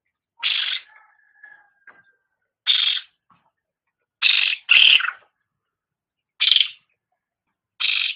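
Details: Cucak rante, pet songbird in a training master recording: short, loud, harsh rasping bursts repeated at irregular intervals of one to two seconds, with faint thin whistled notes after the first.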